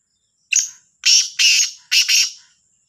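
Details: Black francolin (kala teetar), Sahiwal teetar, calling in the morning, recorded 18/09/22: a short harsh note, then four loud, rasping, grating bursts in quick succession over about two seconds, with no other sounds in the background.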